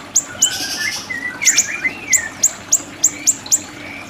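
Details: Siri-siri song as a training recording: sharp, high falling chips, roughly three a second, mixed with softer mid-pitched whistled slurs and a brief buzzy trill early on.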